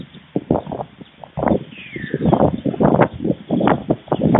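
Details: Midday feeding at a white stork nest in Fohrde, Germany, 16 July 2019, two nestlings near fledging: rough pulsed chattering building after a quiet start, with a thin descending bird whistle in the background.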